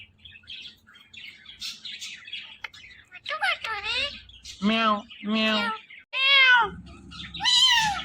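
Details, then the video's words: A pet male parrot teasing a female: a run of harmonic, cat-like meowing notes, several drawn-out and falling, with quieter chatter at the start and faint music underneath. "Two Parrot Talking"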